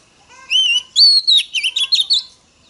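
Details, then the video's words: Female Oriental magpie-robin singing to stir up males: a bright run of clear whistled notes, with a rising-falling slur, then a quick string of short sweet chirps over about two seconds; quiet background. "Choè than mái kích trống hay nhất"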